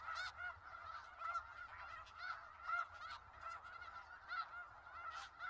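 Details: A big gathering of snow geese in Skagit Valley keeps up a continuous babble of high, nasal yelping honks, with louder individual calls rising above the crowd roughly every second.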